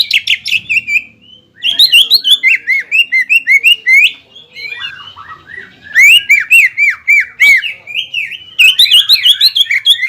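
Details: Greater green leafbird singing to rouse the fighting spirit of a rival bird fresh out of moult; a dense stream of bright slurred whistles and chips, broken by short gaps, delivered at roughly three notes per second.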